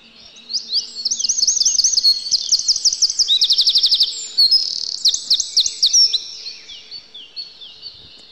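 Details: Wintering Eurasian wren singing in a yard: a long, forceful, very high torrent of looping phrases and fast machine-gun trills, with a steady faint hum underneath.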